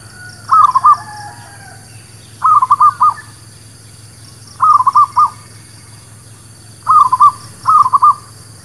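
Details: Local zebra dove singing as a trapping lure: short bursts of quick, stuttering coos, each about half a second, repeated every two seconds or so, five phrases in all, over a constant low hum.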